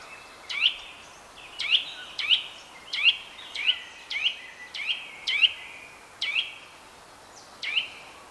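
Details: Eurasian nuthatch giving a long series of ringing whistled notes, each a quick upward-flicking 'tuit', repeated roughly every half second to second, steady and insistent over faint background hiss.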